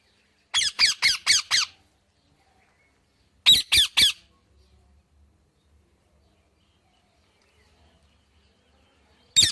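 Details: Indian ringneck parakeet giving loud harsh screeching squawks in quick runs, five in a row, then three, and one more at the end, with near silence between the runs.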